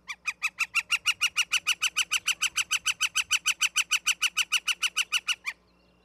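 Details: Osprey at the nest in Charlo, Montana, on 11 September 2023 around 16:04: a rapid series of about thirty sharp, evenly spaced chirping calls, roughly three per second, stopping abruptly after five seconds.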